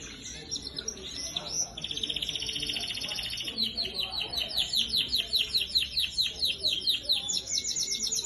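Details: Red and yellow canaries in song: a long sustained high trill from about two seconds, then rapid repeated downward-sweeping notes, roughly five per second, rising in pitch near the end.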